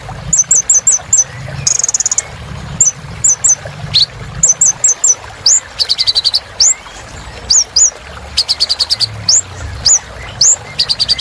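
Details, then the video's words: Olive-backed sunbird singing vigorously as therapy for birds gone silent: clustered high chips, short buzzy trills and sharp rising whistles in quick alternation across eleven seconds, densely packed. "Kolibri Ninja Gacor"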